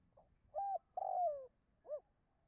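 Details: Spotted dove cooing, used as a lure recording to stimulate other doves, in three low, hollow notes: a short coo, a longer downward-sliding coo, then a brief rounded final note, over a faint low rumble.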